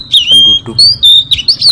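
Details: Oriental magpie-robin lure song used for bird trapping: a long, high, slightly falling whistle, then short sharp whistled notes rising and dipping, with a faint low rumble and soft voice underneath.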